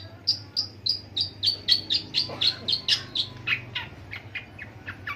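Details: Long-tailed shrike imitating other birds: a quick series of bright, clear notes, about four per second, that slide down in pitch and grow fuller in the middle, over a low background hum.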